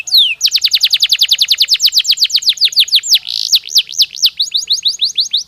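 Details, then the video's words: Domestic canary singing, offered to encourage breeding: a rapid trill of high downward-sweeping notes, a brief noisy burst near the middle, then slower looping whistled syllables. "تغريد كناري محفز يزيد نشاط الطيور ويجعل موسم التكاثر أكثر نجاحًا"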